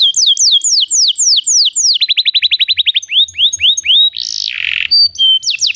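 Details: Training song of a Belgian canary for non-singing birds: looping downslurred whistles, a fast rolling trill, rising slurred notes, a brief harsh burst, then clear level whistles.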